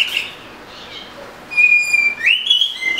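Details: Oriental magpie-robin song: a long clear whistled note held steady, then rising into a bright slurred phrase with short whistled flourishes.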